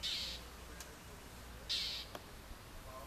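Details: Harsh, scratchy bursts, two of them about one and a half seconds apart, from a Northern mockingbird mobbing a juvenile red-shouldered hawk while defending its territory outside Orlando, Florida, in spring 2019.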